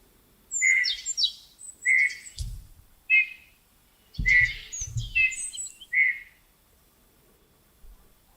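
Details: A pet Eurasian bullfinch kept in a cage sings: soft, short piping whistles mixed with creaky, squeaky notes, about six phrases in eight seconds, with a few low thumps between them.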